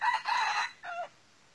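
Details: A wild junglefowl, during a session luring junglefowl, gives a brief, clipped crow: harsh, raspy opening notes, then a shorter, clearer final syllable, over in about a second against a quiet background.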